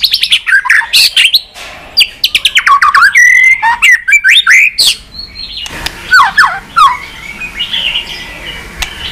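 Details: White-rumped shama singing a many-voiced training song meant to stimulate birds: loud, rapid run of sharp sweeping whistles and chattering notes, then a pause and another burst of slurred, varied phrases.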